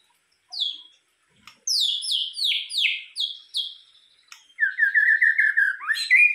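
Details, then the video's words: White-rumped shama song recorded as a lure track for other shamas: loud, varied whistled phrases of steeply falling high notes repeated in quick series, then a run of rapid lower warbled notes rising at the end. "pancingan murai batu"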